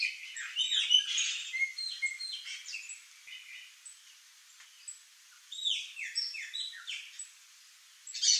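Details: Chopi blackbird flock feeding on fruit in a backyard; a busy chorus of overlapping whistled and chattering notes, many quick downslurred phrases in bursts, loudest at the start and again after the middle, with pauses between.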